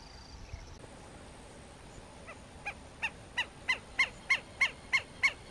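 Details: Least grebe at Arapongas, Paraná, Brazil, calling a series of about ten nasal, horn-like notes, roughly three per second, starting soft and growing louder and steadier, with faint background hiss.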